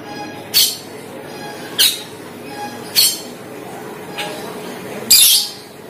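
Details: Asian glossy starling lure calls used to attract wild birds of the same kind. Harsh, broadband squawks repeat about every one to one and a half seconds, with a faint steady hum in the background.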